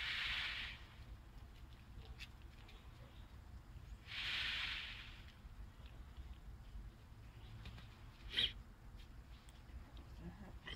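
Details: Indian peafowl peacock in full display, rustling to demand the peahens' attention: two loud, shimmering rattling bursts under a second long, about four seconds apart, then a short click amid low background rumble.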